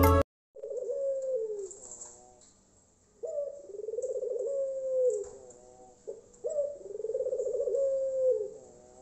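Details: Caged Tangerin or Iraq-type Barbary dove singing loudly, used to lure sluggish doves into singing: three rolling, low cooing phrases, each starting abruptly with a burred trill then drawn out and falling, spaced about three seconds apart, with a steady high hiss behind.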